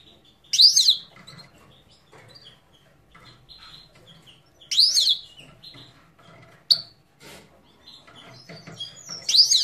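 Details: Himalayan goldfinch from Parachinar, singing: isolated bright twittering notes every few seconds, each a quick high swirl, with near silence between.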